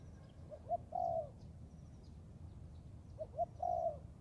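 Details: Cooing of a young Thai spotted dove trained in the forest: two quick soft notes leading into a longer wavering coo, heard twice about two and a half seconds apart, low noise underneath.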